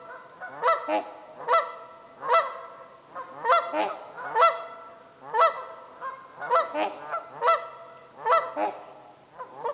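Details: Trumpeter swans on Dixon Lake in Itasca County, Minnesota, giving loud, brassy, horn-like honks with rich overtones, roughly every second in uneven bursts, several birds overlapping at times.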